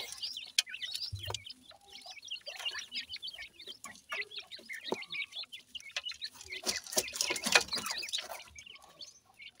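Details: Partridge babies, Pakistani teetar, at feeding: busy overlapping high cheeps and short squeaky notes, with scattered pecking clicks and a noisy scratchy patch near the end.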